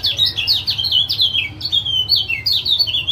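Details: Male lemon-bellied white-eye from Lombok, caged-bird stimulation calls for a bird that stopped singing: quick repeated high downslurred chirps, several per second, in an energetic unbroken chatter.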